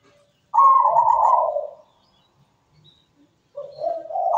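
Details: Zebra dove singing with a sweet voice. A loud, rolling, purred coo lasts over a second, followed by silence, then a rising bubbly phrase builds in.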